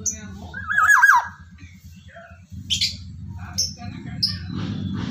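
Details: Loud morning song of a Javan Black-naped oriole: one mellow, undulating whistled phrase, then scattered short high chips and squeaks over a constant low humming rumble.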